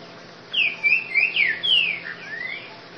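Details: Ultramarine grosbeak, known locally as trinca-ferro grego boca mole, singing a short phrase of clear whistled notes that slur down and up, about seven notes in under three seconds, on a quiet background.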